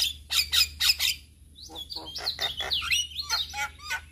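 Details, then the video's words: Male Javan myna song for tutoring other mynas: several harsh bursts, then a varied sequence of squeaky, wavering whistles and scratchy notes. "Ocehan Jalak Kebo Jantan Cocok Untuk Pancingan Segala Jenis Burung Jalak Belajar Bunyi"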